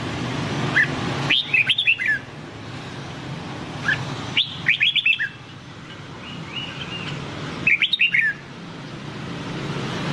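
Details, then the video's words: Red-whiskered bulbul of the white-cheeked type singing the Nam Đông style used to train caged birds: three lively phrases of clear upslurred and downslurred whistles, spaced several seconds apart, with a soft continuous hum behind. "Luyện Giọng Chào Mào Má Trắng Bằng Giọng Chào Mào Nam Đông Hay Nhất 2022"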